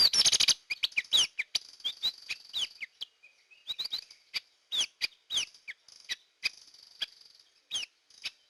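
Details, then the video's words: Hair-crested drongo lure call: a harsh buzzy burst at the start, then a long series of crisp, twangy chirps rising and falling, loosely spaced. "Suara Pikat Burung Gentolang / Srigunting Kantil"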